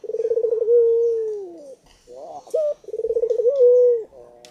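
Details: Barbary dove, described as very vocal, cooing twice: each call a fast run of rolling, pulsed notes that merge into a long, steady, slightly falling coo, with a brief higher warble between the two calls.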